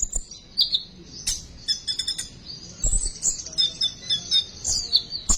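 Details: Lure recording of a sunbird singing to encourage young untrained birds: a busy stream of high-pitched chirps and tinkling twitters, fairly continuous with sharp accented notes, faint low background rumble.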